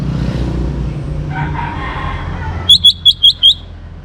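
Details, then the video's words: Young Orange-headed Thrush giving five evenly spaced, short high whistled notes in quick succession after a stretch of muffled traffic noise. "ANIS MERAH Muda Gacor Untuk Pemancing Burung Berani Berkicau Ngeplong juga Teler"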